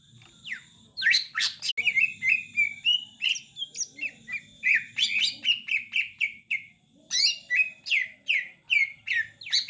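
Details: Master song of a greater green leafbird for training birds: a lively stream of quick, sharp chirps and short repeated whistles, broken by harsh sweeping notes and brief pauses. A steady low hum sits beneath.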